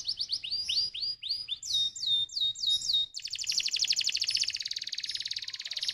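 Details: Stimulating canary song: a series of swooping upslurred and downslurred whistled notes, then a long, very fast, high rolling trill.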